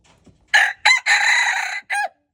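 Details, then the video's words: Red junglefowl recorded on February 13, 2025, giving one loud crow in four parts: a short opening note, a brief second note, a long sustained harsh middle section, and a short falling final note, in a quiet setting. "red jungle fowl"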